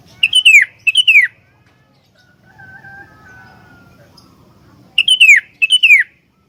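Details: Sooty-headed bulbul singing vigorously as a tutor for other bulbuls: two quick pairs of bright, tumbling, descending warbles at the start and end, with a quiet gap holding a faint drawn-out whistle.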